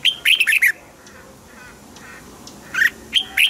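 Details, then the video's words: Caged red-whiskered bulbul song meant to excite birds: an opening burst of rich, rapid warbled notes, a quiet gap with faint distant calls, then bright slurred phrases returning at the end. "นกปรอดหัวจุก | เสียงนกกรงหัวจุก ขวัญใจสายเบิ้ลอาชีพ ฟังแล้วคึกเหมือนเดิม นกไม่คึกห้ามฟัง"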